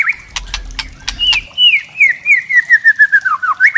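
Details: Murai trotol, a white-rumped shama, giving kretekan to goad other shamas: dry crackling clicks with low thumps open, followed by a long descending series of quick, evenly repeated whistled notes.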